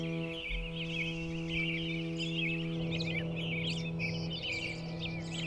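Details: Dense May dawn chorus of songbirds, including ground-nesting birds like sparrows, on a farm meadow before sunrise: many high chirps and twitters overlapping without pause, over a steady low musical hum.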